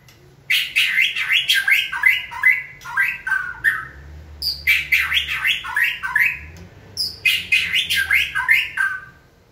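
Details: Caged white-rumped shama prompted by a trainer to sing: three bursts of rapid phrases, each a run of quick descending whistled notes and buzzy slurs, separated by brief pauses, with a low hum in the room.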